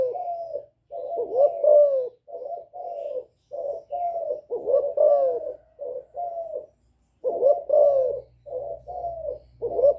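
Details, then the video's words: A young spotted dove strings together calling coos and bowing coos, a style meant to rouse wild doves. Mellow, throaty coo notes follow in quick groups of two or three with pauses, some ending in a slight upward lilt. "Cu gáy tơ gáy giọng hạp bổi GÁY GỌI + KÈM GÙ BO chim cu gáy chu lèo bài bản kích bổi hay. Cu đất gáy"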